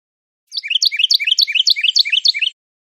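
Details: Carolina Wren sings a loud, rolling series of about eight repeated whistled phrases, each sliding in one direction, delivered rapidly over two seconds; it is staccato, with elements widely spaced, unlike the similar Common Yellowthroat.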